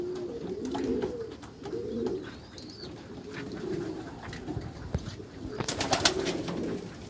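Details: Meulemans racing pigeons coo low and throaty in a backyard loft, rounded phrases every second or so, with rustling wingbeats and clattering toward the end.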